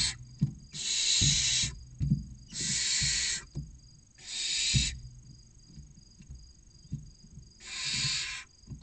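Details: Barn owl chicks aged 16 to 29 days, inside their nest box in Castilla-La Mancha, await a food delivery with four long, noisy hissing screeches, interspersed with tapping and shuffling sounds.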